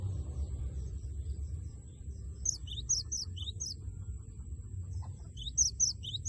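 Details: Lure song of a gelatik batu, or cinereous tit, meant to prompt a rival to sing: two short bursts of high, sharp paired notes over steady low rumbling background noise.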